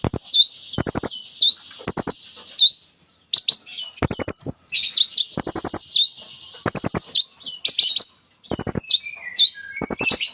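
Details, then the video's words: Extended kolibri ninja sunbird song full of mimicked phrases: repeated quick rattles of hard clicks, each followed by high sharp swooping notes, in a steady, rapid delivery. "KOLIBRI NINJA GACOR FULL ISIAN MEWAH"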